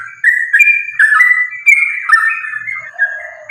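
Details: A trucukan, or sooty-headed bulbul, in its rapid, combative lure song: a steady flow of rounded, bubbly whistles, ending with a softer low rasp and a faint hum in the background.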